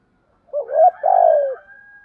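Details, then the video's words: Spotted doves, cock and hen, giving the 'thổ thúc gù' song to excite training birds: a quick rising coo, then a drawn-out raspy note sliding down, followed by a faint high ringing tone. "tiếng chim cu gáy giọng thổ thúc gù bài bản, gáy giọng to rõ giọng hạp"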